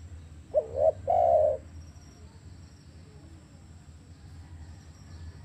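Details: A single spotted dove phrase, a quick double coo and then a drawn-out mellow note, followed by quiet hum; used to stimulate captive doves that have stopped calling.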